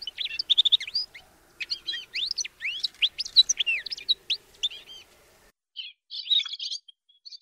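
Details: Male Atlantic canary singing: bright rapid phrases of whistled, sweeping notes and trills mostly high-pitched, broken by short pauses, with a final burst of dense chattering twitters after a brief silence.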